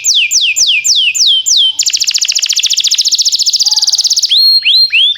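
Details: Canary song in timbrado style: several steep descending sweeps, then a long fast metallic trill, ending with rising looped whistles.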